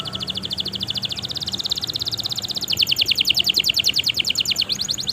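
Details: Canary in long, continuous song, used as a lure to stir up canaries that rarely sing: a rapid buzzy trill of repeated high notes, steady then louder and coarser after about three seconds, over faint low hum.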